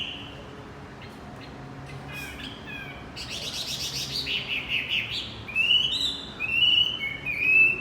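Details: Javan white-eye song serving as a lure for a stalled male: a quiet start with faint ticks, then a burst of scratchy chatter followed by clear, drawn-out whistled glides toward the end.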